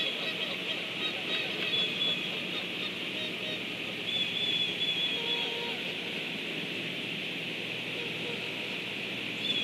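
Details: Geese flying past, steady chorus of overlapping honks and clacking calls, somewhat quieter, with a few brief tonal notes standing out.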